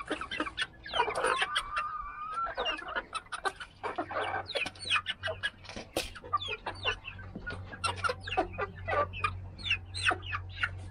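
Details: Flock of mixed-breed chickens on day 83, Australorp, Polish, Rhode Island Red and Wyandotte among them; a drawn-out call near the start, then busy overlapping clucks and squawks, over a continuous low droning hum.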